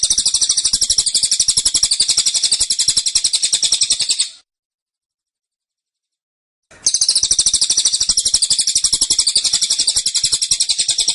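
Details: Two long tembakan bursts from a caged cililin, dense and insistent, each a fast, even chatter of sharp high notes lasting about four seconds, separated by a two-second silence.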